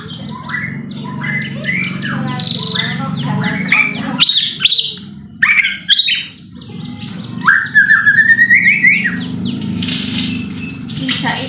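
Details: Provoking song of a white-rumped shama intended to make other shamas sing aggressively: quick chattering notes, sharp whistles and a rising series of slurred notes, against a constant low hum.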